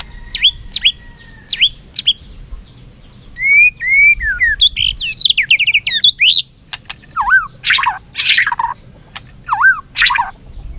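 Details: White-rumped shama singing in competition with tail flicking. Sweeping upslurred and downslurred whistles mix with loud, harsh, buzzy bursts and scattered clicks throughout.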